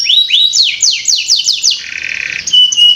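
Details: Canary (kenari) song used as a lure recording to get young canaries singing quickly: a run of about eight rapid descending whistled sweeps, then a low buzzy trill, ending in thin high sustained whistles.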